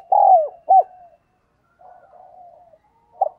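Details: Cooing of a spotted dove lure bird: two strong, slightly descending hoots, a long soft wavering coo, then the first note of another call.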